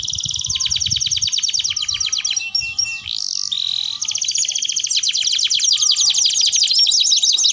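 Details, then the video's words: Canary song meant to prompt other canaries to learn singing: dense fast trills repeated in long rolls, a short harsher burst midway, then rapid rising and falling notes to the end. "Kenari Gacor Dor || Ampuh Untuk Pancingan Kenari Belajar Bunyi"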